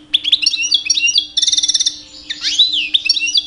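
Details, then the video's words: Two-year-old male European goldfinch in captivity, singing to attract females during mating season; continuous quick twittering, a dense rattling trill, then squeaky slurred notes, faint hum underneath. "My 2 years old Goldfinch song"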